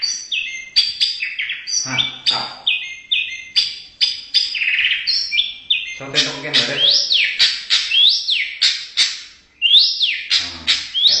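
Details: White-rumped shama from Indonesia singing a loud, varied song of clear whistles, sharp up- and down-slurred notes and quick chirps, with brief harsher buzzy phrases, delivered in rapid bursts with hardly a pause.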